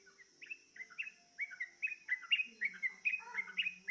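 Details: Yellow-vented bulbul lured into singing by a played lure recording: quick bubbly run of short chirped and slurred notes, rising and falling, about two per second, over a steady high insect hum.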